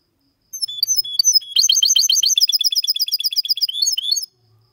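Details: Clean song of a goldfinch-canary mule, used as a tutor for young birds to learn and to spur males into singing: sweet high opening phrases, then a rapid, even rattle of repeated notes and a closing upward flourish.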